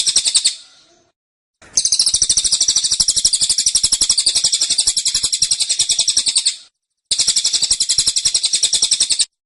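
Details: Persistent high-pitched chatter from a caged cililin, the tembakan style, with fast even pulses near four per second in long bursts separated by two short pauses.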